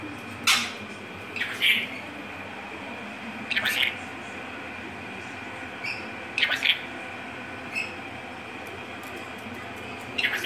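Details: A pet talking rainbow lorikeet in a kitchen gives short, harsh, screechy word-like bursts every two to three seconds over a steady indoor hum.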